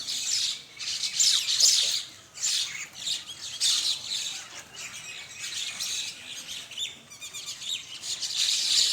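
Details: Flock of common mynas at a morning feed among common birds of Bangladesh; harsh, raspy squawks and chatter come in rapid overlapping bursts, loudest early on, with scattered high chirps throughout.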